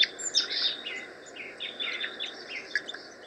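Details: Red Crossbills give a rapid, irregular run of short, sharp, high 'kip' flight calls with softer toop calls; other species, including bluebird-like calls and possibly an Evening Grosbeak, call over them.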